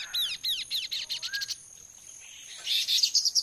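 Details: Chestnut-capped babbler, or kaso kaso, giving lure song to provoke answers: about six clear, high, arching whistles in quick succession, a lower slurred note, then a hissing chatter over a steady shrill background hum.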